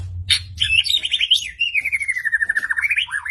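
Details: White-rumped shama from Medan in persistent song with sharp 'shots': a loud, rapid trill of clipped notes that starts high and slides gradually downward, ending in a brief upturned flourish over low background hum.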